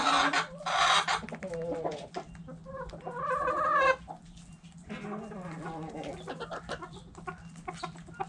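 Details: Hens in a backyard chicken coop giving loud squawking clucks, then a drawn-out wavering cackle, followed by softer scattered clucks from several birds over a constant low hum.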